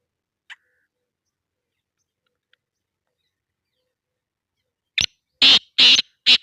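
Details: Several seconds of near-silence with a faint tick, then a black francolin in Sindh, Pakistan bursts into its call: a sharp click followed by loud rasping notes in quick succession, cut off mid-phrase.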